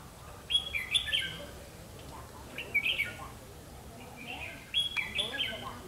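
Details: Red-whiskered bulbul of the 'mí lửa' type singing during a trapping session on 31 October 2016. Bright, warbled whistled phrases come in three short bursts about two seconds apart over a faint steady hiss.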